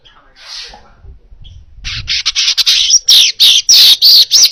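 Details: Baya weaver song for training other birds: a soft wheezy note and quiet rustling, then an intense sizzling buzz breaking into rapid, evenly pulsed harsh bursts for the final two and a half seconds.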